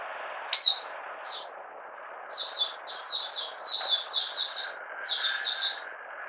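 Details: Malaysian Oriental white-eye in minor moult starting to sing, 31 July 2023: one sharp high chip, then softer, spaced slurred high notes over a steady wash of background noise.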